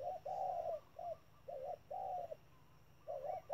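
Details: Spotted dove kept as a trap decoy, calling 'thúc': loud, low, hollow coos, a long note followed by shorter ones, repeated after short pauses.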